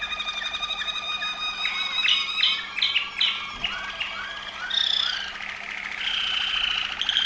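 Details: Waterslager Malinois canary, Veliko Gradiste, Serbia, delivering a varied song of clear whistles, quick downward notes and liquid gurgling phrases, shifting between tours without pause.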